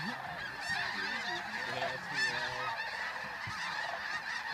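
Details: Great numbers of geese take off at dawn at Bosque del Apache, New Mexico, in November 2013: a busy chorus of honks, with a few sharp, higher calls cutting through at intervals.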